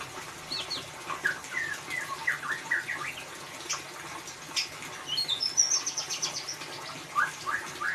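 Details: Lure song in the ngeriwik style of a white-rumped shama for a silent bird: fast sequences of rising chirps and twittering trills, growing busier toward the middle, with constant low hiss.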